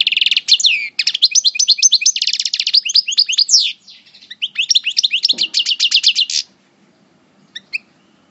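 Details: European goldfinch, subspecies parva, moulting, at El Bordj, sings a coupleur-style phrase: about six seconds of rapid tinkling twitters and fast repeated notes with a short break and a brief low thump, then a few isolated chirps.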